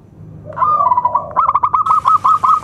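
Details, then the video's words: Loud-voiced local zebra dove whose song is meant to lure other doves and stir silent birds to sing; a soft lead-in coo breaking into a fast, even string of clipped staccato notes. "SUARA PERKUTUT LOKAL ( PEMIKAT AMPUH PERKUTUT MACET BUNYI )"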